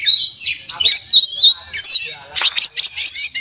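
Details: Oriental magpie-robin in full song, its beak open and its song packed with learned filler phrases. High thin whistles and warbled twists come first, then a quick series of sharp, evenly spaced chips toward the end.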